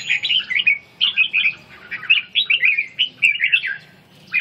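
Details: Red-whiskered bulbul in training to recover stamina and practise its ché song, giving a dense run of warbled, slurred chirping phrases throughout, each lasting about half a second and separated by brief gaps.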